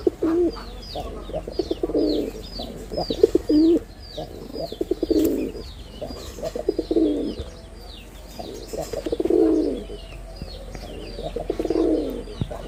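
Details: Male red-bordered wild pigeon in Bangladesh, performing: a run of stuttered low notes swells into rolling, throaty coos, repeated about five times, with small birds chirping high in the background.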